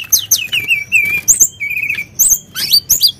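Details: Sunda blue robin, singing in a bout meant to provoke other birds: quick high slurred whistles and chips, then a long wavering trill held near one pitch and a few sharp rising notes.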